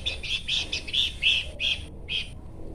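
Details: Horsfield's babbler uttering a quick string of buzzy, rasping chatter notes, then two separated shorter bursts, with no other birds present.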